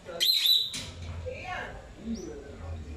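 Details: While exploring, a pet lovebird sings a short, loud, high chirp that is slightly drawn out, followed by softer fainter notes against low background rumble.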